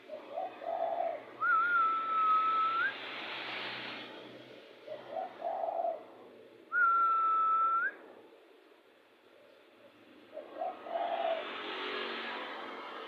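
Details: Agitated spotted dove used as a lure bird, giving three low, short rolling coo phrases a few seconds apart. Long, level, higher-pitched whistles alternate with the coos over constant background hiss.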